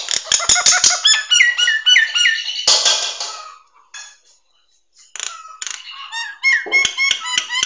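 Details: Nias hill myna song used for training songbirds: loud clear whistles, sharp clicks and rich harmonic notes in varied phrases, some rising and falling slurs, pausing briefly midway before a fresh burst of whistled and clicking notes.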